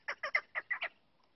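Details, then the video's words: Six quick, harsh clucking notes from a female chukar partridge, evenly spaced over less than a second, then silence. "female chakor voice"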